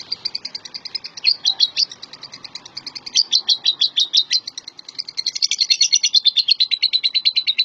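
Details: Lovebird kept as a champion contest bird, delivering fast high chattering twitters in bursts, rising in loudness near the end into a dense, sustained run of buzzy chirps.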